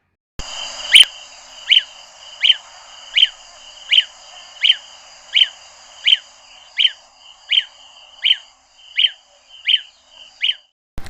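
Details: Lesser Honeyguide in southern Africa giving a steady series of about fifteen sharp, high 'pew' notes, evenly spaced under a second apart, over a faint background hiss.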